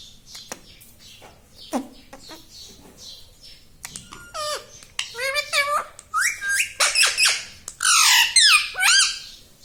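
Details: Talking pet parrot, described as saying "Mummy", "Papa" and more: quiet clicks and soft sounds at first, then a busy stream of quick, looping, nasal word-like syllables building in loudness toward the end.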